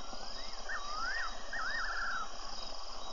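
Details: Fiery-necked nightjar, suspected, heard on a Tembe webcam on 24 February: a rising whistle followed by two tremulous, wavy phrases that dip and quaver, clear above constant background hiss.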